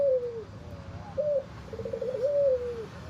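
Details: Red-eyed white albino Barbary dove with a hoarse voice, giving low, rough coos: a falling drawn-out note, a short burr, then a rolling coo sliding down at the end, with low background hum.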